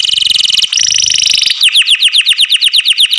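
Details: A loud canary gives a dense buzzing trill, shifting to a higher rattle, then a steady series of sharp downward-sweeping notes about five per second.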